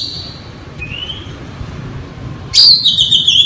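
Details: Oriental magpie-robin song used as a lure: a drawn-out rising whistle, then a loud burst of quick high warbling notes against background hum.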